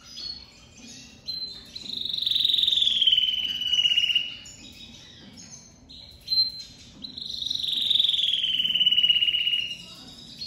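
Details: Loud song from a crested lavandeira domestic canary leaving its moult: two long, rich, trilled phrases that start high and slide gradually downward, each lasting about two seconds, separated by brief quieter notes.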